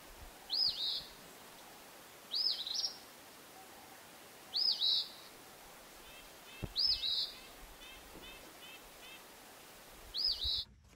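Eastern Phoebe singing a high, burry two-part 'fee-bee' about every two seconds. A faint trill from another bird and low background noise are also heard.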